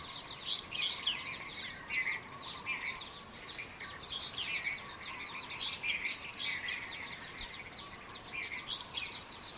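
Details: Small flock of common waxbills, escaped from captivity, in Kaohsiung, Taiwan, January 2018; nearly ten seconds of busy, high-pitched chirping and buzzy twitters, notes tumbling over one another, over a low constant hum.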